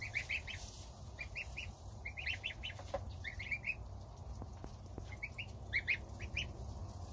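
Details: Domestic goslings eating their starter ration beside their mother while the father goose stands guard outside; many short, high, upswept peeps in quick irregular bursts, with a steady low rumble underneath.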